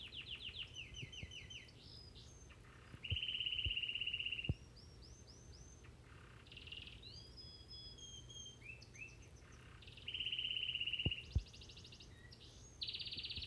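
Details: A crested Gloster canary sings at home, a long, varied high song of rapid repeated notes, sweeping whistles and buzzy rolling trills, over a low indoor hum.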